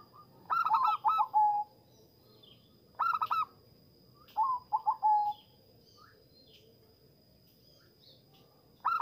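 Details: Zebra dove song played to lure and stimulate zebra doves: three separate phrases of rapid, clipped cooing notes, each about a second long and spaced two to three seconds apart, over a quiet background.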